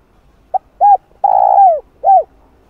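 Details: Spotted dove call meant to stimulate wild doves. One complete phrase: a tiny opening pip, a soft rounded coo, a long buzzing coo that falls at its tail, then a final drooping coo.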